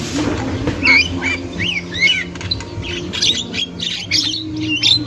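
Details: Javan myna chattering in the wild, a very vocal female used as a lure for young birds: a run of grating squawks and looping whistled notes, unevenly spaced, over a faint hum.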